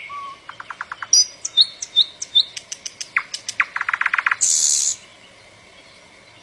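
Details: Northern mockingbird (cenzontle, 'bird of 400 voices') in rich song: a low whistle, rapid series of repeated clicks and chirps, high whistled slurs, fast trills, then a harsh buzzy burst before quiet.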